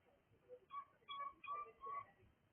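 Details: Cockatiel making soft whistled notes, three or four short tonal whistles of even pitch in a row, heard faintly over a steady low background hiss.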